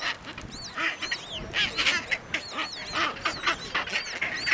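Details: Chinstrap penguins fighting in an Antarctic colony, possibly with chicks present, give harsh, overlapping braying squawks in quick, excited bursts, with many birds calling at once.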